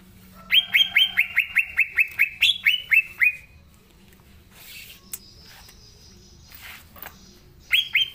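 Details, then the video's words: Green leafbird in eager natural song, played to stir young leafbirds into singing: one quick series of bright, clipped notes stepping slightly downward for about three seconds, then near quiet with faint hiss before a new burst begins. "Cucak Ijo Gacor Suara Asli"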